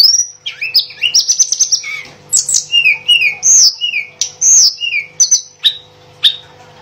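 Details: Mangrove blue flycatcher in lively song, alternating high piercing whistles with lower slurred notes and short chattering bursts, delivered in quick phrases separated by brief gaps.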